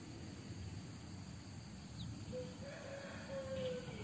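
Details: A white-eared decoy junglefowl rooster crowing: a single drawn-out crow, first a short tone, then a longer steady tone that holds and fades. Constant low hum and faint insect noise in the background.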